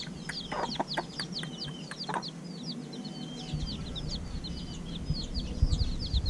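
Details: Chicks hatched just over a week earlier, fed in the evening, give rapid high peeps, many overlapping chirps in a constant stream, with thumps and low rumbling noise growing louder toward the end.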